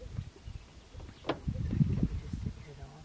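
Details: Two male Greater Sage-Grouse display on a lek as a female walks by: a brief swishing rustle followed by two deep, hollow pops about a quarter-second apart, over low rumbling background.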